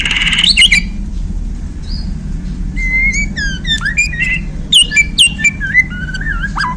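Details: Bornean white-rumped shama, newly acquired, sings a varied string of whistles, sharp downward-swept notes and clicks, with low background rumble.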